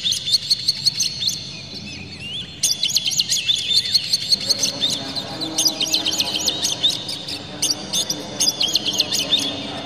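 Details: Oriental magpie-robin with tail fanned, pouring out a song full of varied fillers meant to set other magpie-robins singing. Dense, fast runs of sharp chips and twittering notes come in rapid bursts with only short breaks.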